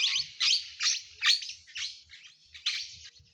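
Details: Flock of small parrots, apparently hungry, noisy near coastal farmland as they seek a nearby cornfield, screech in harsh bursts about every half second, several overlapping in rough, high chatter over faint low rumbles; they fly off when approached.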